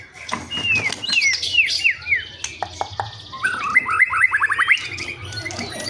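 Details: Caged white-rumped shama in agitated song, giving a series of downslurred whistled notes, a few sharp ticks, then a quick run of rising, stepped whistles repeated several times, over faint low rumble.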